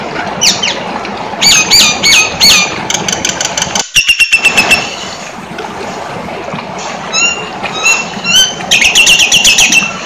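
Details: Nias hill myna (Gracula robusta) singing loud, varied phrases of sharp whistles, rising squeals and rapid clicking bursts, against a steady hiss of background noise.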